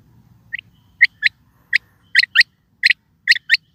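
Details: Quail calling: sharp, clipped notes, mostly given in quick doubled pairs, repeated about once a second against a silent background.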